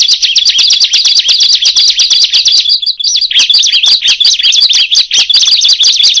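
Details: Bar-winged prinia, locally called ciblek, with other birds joining in once it starts calling: loud, high, sharp chirped notes in rapid overlapping runs of about three per second, a brief pause midway, then dense calling again.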